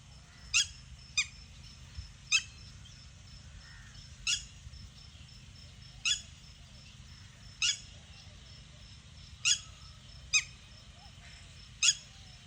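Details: Red-wattled lapwing calling with sharp, piercing notes, each a short strident burst, given singly or in quick pairs about every one to two seconds over a steady low hum.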